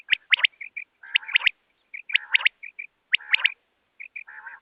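Rain quail giving bursts of sharp, metallic double and triple notes, each burst followed by softer nasal notes, about one burst per second. No other sounds.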